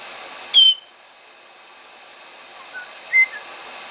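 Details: Two pet white-bellied parrots being warmed under a hair dryer indoors after bathing; two loud, sharp whistled notes, the first high and level, the second lower and shorter, over a steady blowing hiss.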